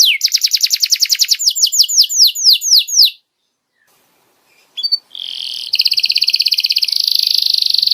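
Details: Canary tutor song for juvenile birds: a fast rhythmic series of sweeping notes for three seconds, near silence, then a steady, very rapid high trill to the end.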